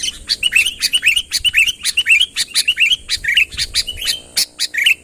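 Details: Vocal sooty-headed bulbul summoning a rival, unmixed: evenly spaced, short, upturned chirps around two per second, interrupted by crisp clicking sounds, with a faint steady high whine beneath.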